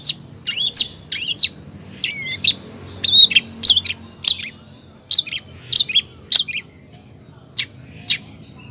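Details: Female long-tailed shrike calling for the male: a dense run of chirps, short whistles and sharp ticks, some notes bending up and down, thinning out toward the end into spaced clicks.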